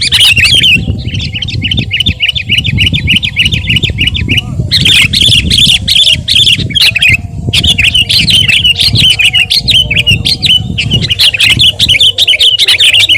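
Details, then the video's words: Sooty-headed bulbul singing nonstop, used to train and provoke other birds: long unbroken runs of rapid, buzzy chattering notes split by a few short breaks, loud throughout over low background rumble. "masteran dan pancingan suara burung KUTILANG GACOR"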